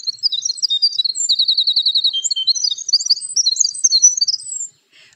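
A Winter Wren pours out a long, rapid, high song of tumbling notes, trills and buzzy runs, with no other sounds heard.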